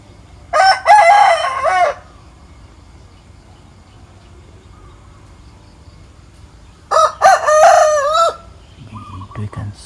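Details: A rooster perched atop a mango tree in the morning gives two loud crows, each about a second and a half long, rising then wavering and drawn out, several seconds apart; faint clucking follows.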